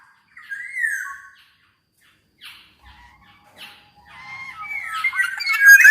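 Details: Black-naped oriole singing, used to prompt other orioles to sing: a clear, slurred whistle rising then falling, a long pause, a few brief scratchy notes, then a louder burst of mixed whistles and harsh, nasal notes.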